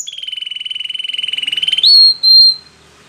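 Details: Spanish Timbrado canary training song: a long steady pulsed trill on one pitch, rising into two sustained pure whistled notes before fading.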